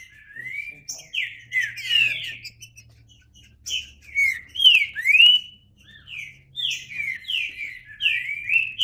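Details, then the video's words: Green-winged saltator pouring out rapid whistled phrases of downslurred and upslurred notes, grouped into loud bursts separated by brief quieter gaps. "Trinca Ferro (cantando)"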